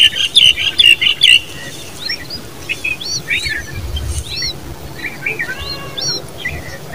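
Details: Common babbler babies calling: a quick run of shrill, high chirps for over a second, then scattered thin, rising chirps and short twitters from several birds, with low background rumble.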